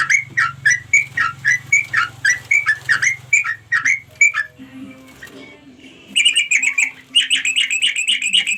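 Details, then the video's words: Sooty-headed bulbul calling its companions: a quick string of bright chirps, a short pause with background noise, then a harsher, buzzy chattering run to the end. "suara trucuk panggil kawan"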